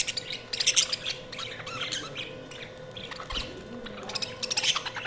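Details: Budgerigars give a busy mix of shrill chirps, short squawks and rippling warbles, loudest near the start and end, with a faint steady hum behind them.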